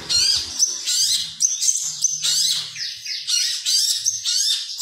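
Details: Long-tailed shrike kept for song contests, 2020, delivering mimicked phrases used to train other birds; quick descending whistles and chattering bursts follow one another, with a soft low hum in places.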